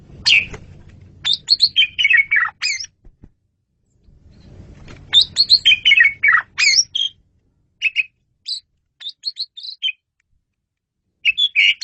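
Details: Asian pied starling (jalak suren) singing hard in masteran style: long bursts of dense, varied chattering and whistled notes, then sparser, scattered squeaky phrases, with some low background noise.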